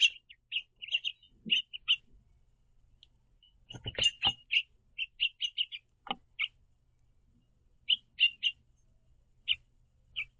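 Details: House finch pair perched on a backyard platform feeder, hopping on and off while communicating; short bright chirps repeated in loose clusters, some doubled, with a few soft clicks and perch taps between.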